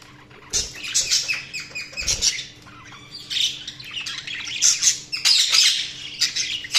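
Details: Several budgies keep up near-continuous warbling chatter of quick, bright squeaks and rasping chirps, rising and falling in loudness, with a faint steady hum underneath.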